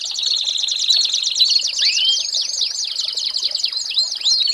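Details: American Singer canary singing a tutor song for training young birds, a dense, continuous rattling trill overlaid with looping, upslurred whistles that repeat throughout.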